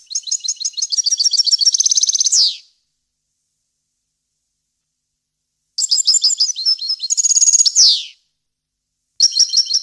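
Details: European goldfinch song, clear and faultless, for teaching chicks, in the varied wild-language style: two high twittering phrases with buzzy trills ending in falling sweeps, separated by a long silence, then a new phrase begins.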